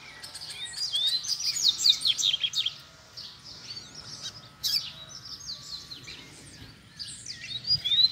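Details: Wild Double-collared seedeater close to a cage in a contest to provoke a fight: fast scratchy twittering with whistled upslurs, a pause, then renewed bursts, against constant low hum.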